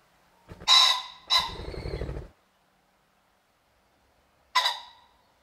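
Harsh, raspy cackles from a common pheasant, two close together then one more after a pause, with a low whirring flutter of wings after the second.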